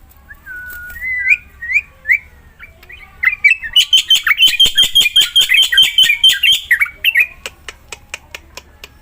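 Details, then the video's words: Vigorous black-winged myna song meant to coax a quiet myna to sing: rising whistled notes open, then a dense burst of fast grating notes, followed by sharp dry clicks. "JALAK PUTIH GACOR"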